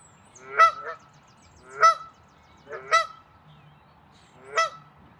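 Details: A Canada goose in territorial defense at Wilde Lake, Columbia, Maryland, on 11 April 2024, gives four loud, nasal two-part hah-onk honks, spaced about a second apart, over a steady low hum.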